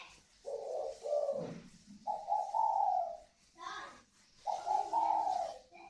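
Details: Native northern Vietnamese spotted doves, a captive pair prized for ringing 'còi vang' cooing. Three coo phrases, the first broken and lower, with a short low grunt and clicky sounds between them.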